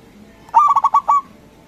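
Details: Local zebra dove, a strong-voiced bird used as a lure for rivals. One fluttering phrase of six quick coos, the final note stretched out, in a calm setting.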